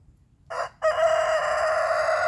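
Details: Rooster crowing in the morning while birds around mark their territories: a brief harsh first note, a short pause, then a loud drawn-out rasping crow held steady to the end.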